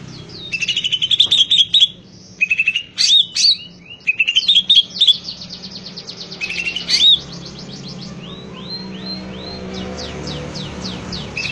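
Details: Greater green leafbird in full song: rapid high chirps and twittering phrases tumbling over one another for several seconds, then quieter rising slurred notes, over a steady low background hum.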